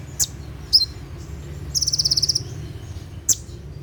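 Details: Olive-backed sunbird giving its 'tembakan' song at night, used for training birds: a rapid high buzzy trill of about a dozen evenly spaced notes, framed by isolated sharp high chips, over a low hum.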